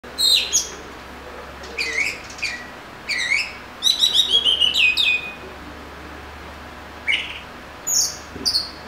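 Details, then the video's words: Oriental magpie-robin singing: varied high whistled phrases, slurred and fluty, with a quick descending series of notes in the middle, over steady background hiss. "Murai Kampung/ Magpie Robin"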